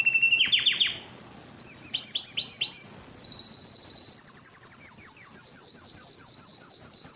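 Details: Yellow canary singing: a rapid series of descending chirps, then a clipped tour of downward-sweeping notes, then a long fast even trill of bright high notes.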